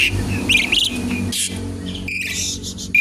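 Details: Asian pied starling song used as a lure and to teach other birds: harsh buzzy bursts and short whistled notes near the upper range, broken by noisy rasping blasts, over a low steady background hum.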